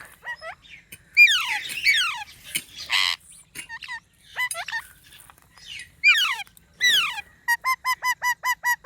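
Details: Green parrots produce falling whistled sweeps, a harsh noisy squawk, and scattered chirps. The sequence ends in a rapid evenly spaced series of about eight short hooked notes.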